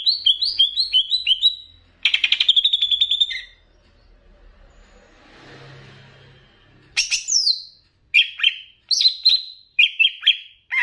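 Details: Master song of a Banyuwangi greater green leafbird plus bebeci phrases for raising emotion: quick stepped whistles, a dense buzzy trill, a pause with soft background noise, then spaced clear whistled phrases.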